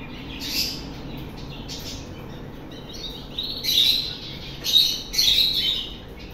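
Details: Pet parrot giving a few short, harsh, noisy squawks in quick bursts toward the end, over a quiet background hiss.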